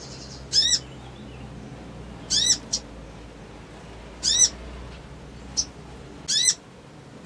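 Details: Crimson sunbird calling to provoke a response: loud, high, chevron-shaped chips about every two seconds, with a softer short note between them and a low background hum.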